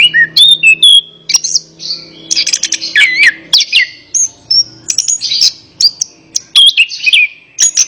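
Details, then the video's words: Orange-headed thrush in full varied song, used as therapy for a bird reluctant to sing: rich whistles, chattering runs and looping slurred notes following one another rapidly. "Terapi Burung Anis Kembang | Atasi Burung Anis Kembang Malas Bunyi Ikut Nyaut"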